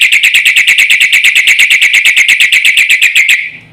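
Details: Black-winged myna in energetic song meant to provoke rival mynas: an unbroken, machine-like trill of loud ringing notes, about seven per second, stopping abruptly after three seconds.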